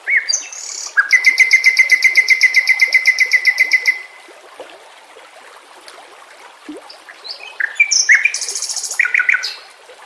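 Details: White-rumped shama singing in a training recording with nature sounds and running water; a long, steady rattle of ringing notes for about three seconds, a quieter pause, then varied whistled and chattering phrases.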